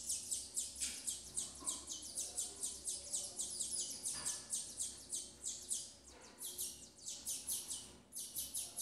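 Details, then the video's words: Chicks being fed by a female double-collared seedeater: a long, insistent train of thin, high chirps, around four per second, slightly irregular, with brief lulls and a few lower notes mixed in. "FEMEA DE COLEIRO BURGUESINHA TRATANDO SEUS FILHOTES"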